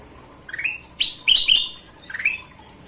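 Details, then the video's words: Energetic golden-vented bulbul song: clear upslurred whistles, a soft opener, then two loud ringing sweeping notes, a pause, and another rising whistle. "Suara Kutilang Emas Gacor"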